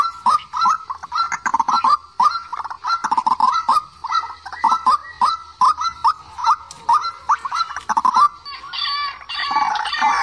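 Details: White-breasted waterhen, recorded as a trap lure, giving a rapid run of short upward-inflected notes that continues steadily for eight seconds before a harsher, noisier jumble of calls at the end.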